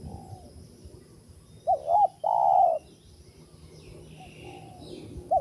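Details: Wild spotted dove heard in a bird-trapping setting, giving a low coo: two short wavering notes, then a longer drawn-out note, with a faint final note and soft background hiss.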